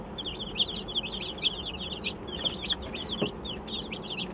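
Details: Just-arrived chicks, a batch of 27, calling in a busy flurry of sharp, high-pitched peeps, several per second and overlapping, with soft low background hum and an occasional faint click.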